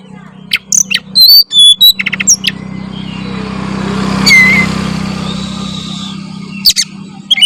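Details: Oriental magpie-robin singing energetically: sharp whistled phrases and quick downslurs over a constant low engine hum from passing traffic, with scattered high notes later.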